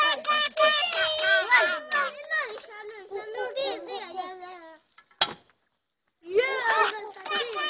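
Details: Common myna (Acridotheres tristis), talking.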